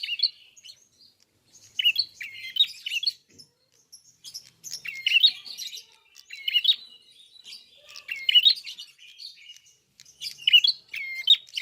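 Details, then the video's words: Red-fronted prinia in full vigorous song: repeated phrases of rapid high chirps and twitters, each lasting about a second, returning every one to two seconds, with soft scratchy notes between them. "BUKA PARUH FULL GACOR BURUNG PRENJAK KEPALA MERAH/KLAWU"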